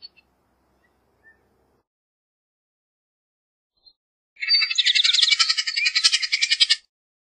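Bullock's oriole gives a harsh, rapid, buzzy chatter of about two and a half seconds after a quiet start. Nothing else is heard.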